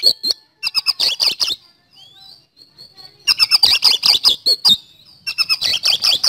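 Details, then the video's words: Oriental magpie-robin singing actively in a fast 'speed roll' trigger-style song: bursts of harsh, rapid chattering notes with bright whistled slurs between, pausing briefly then resuming in dense runs. "Pancingan Kacer Gacor Nembak Speed Roll"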